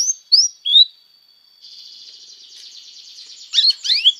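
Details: Canary singing on a tutor recording for young canaries: a few rising whistled slurs, a long steady high tone, then a soft buzzy warble ending in sharp sweeping notes.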